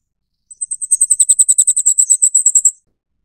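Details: Flamecrest (Regulus goodfellowi), a species endemic to Taiwan, gives a thin, very high-pitched run of about twenty quick notes, roughly nine a second, growing slightly louder; nothing else is heard.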